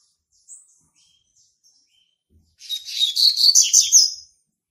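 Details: Double-collared Seedeater, a young male born March 2019, claiming territory with song: after a couple of soft isolated chips, a dense, fast warbled phrase of high buzzy and trilled notes runs for nearly two seconds.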